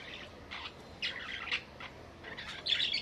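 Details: Budgerigar giving a series of short, scratchy chirps and warbled twitters in irregular bursts, with a denser chattering phrase near the end, over a low background hiss.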